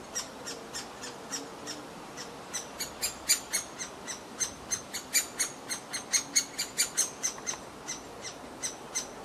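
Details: Demanding great spotted woodpecker chick being fed in the grounds of the former Rowden's House; insistent, harsh, high chattering notes repeated about three to four times a second, growing louder midway, with a low background murmur.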